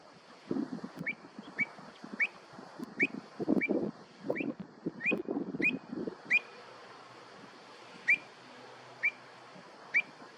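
Pied avocet giving clear, fluting 'kluit' notes about every half second, slowing later, over a low rumble of mixed background noise.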